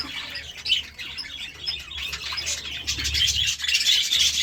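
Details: Morning budgerigar chirping, building from scattered high chirps into a dense, buzzy warbling chatter toward the end.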